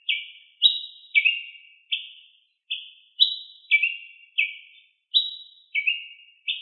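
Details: Ruby-crowned tanager singing in nature: short, bright chirped notes that slide downward, some doubled, alternating higher and lower pitches, about ten notes in under seven seconds with uneven gaps. No other sounds.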